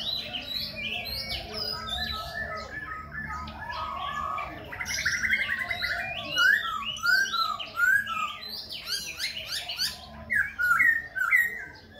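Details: Khe Sanh laughingthrush singing while it dances, changing voice continuously: mellow varied phrases early, then louder, brighter rapid whistled notes and sharp downslurs toward the end.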